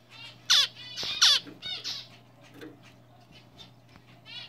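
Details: A young triple-black male zebra finch (black cheek, black face), hatched this year, sings a quick string of nasal, buzzy notes over a low electrical hum.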